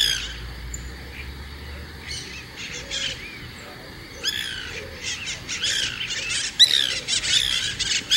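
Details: White Woodpecker (Melanerpes candidus) giving harsh, dry, squawking notes in a rhythmic, almost laughing sequence, used to keep in touch with other woodpeckers and claim territory. Quiet at first, then the calls come faster and louder.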